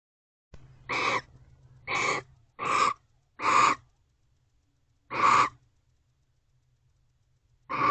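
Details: Barn owls confronting each other at a nest box, Owl Box C, just before 1 am on 13 December 2023; harsh broadband screeches, each about half a second long, come in an uneven series of six with gaps of one to two seconds.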